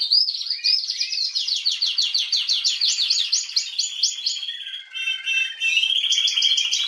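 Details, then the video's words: Female canary, 21 January 2022, delivering a long series of quick repeated high syllables, a lower gurgling warble midway, then another fast bright trill. "Kanarengirlitz Canary girl with a very beautiful voice"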